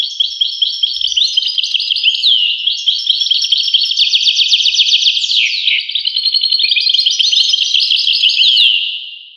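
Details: European goldfinch pouring out a continuous, fast, liquid twittering song of jingling chirps and slurs, including a buzzy downward sweep midway, steady and loud throughout.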